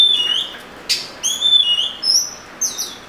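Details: Oriental magpie-robin whistling: a sweet rising note, a sharp click-like burst, then pure high whistles and upslurred notes climbing toward very high pitch.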